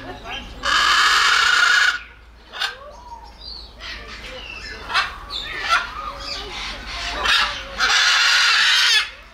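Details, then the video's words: Macaw giving two long, loud, harsh squawks about a second each, separated by shorter rasping calls and softer chatter. "Macaw Ara Papağanı Sesi Ötüşü"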